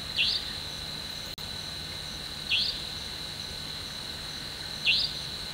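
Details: A Franklin's nightjar with chicks on the forest floor at night gives a short, high, sharply rising note about every two and a half seconds over a steady high insect drone.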